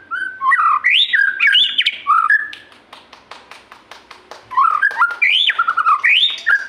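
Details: White-rumped shama (murai) singing persistently: rich whistled phrases sweeping up and down, loud bursts with brief pauses, over a steady background of sharp ticking clicks.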